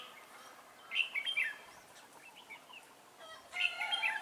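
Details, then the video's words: Caged decoy red-whiskered bulbul used to lure wild bulbuls into a trap, 11 December 2016; two quick, bright, tumbling warbled bursts about two and a half seconds apart over steady hiss. "Bẫy chào mào Mồi tập sự ra trận"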